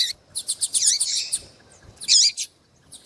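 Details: Female Double-collared Seedeater calling insistently to excite a male: a rapid run of short high ticks that merges into a buzzy twisting note, then one more strong chirp after a pause.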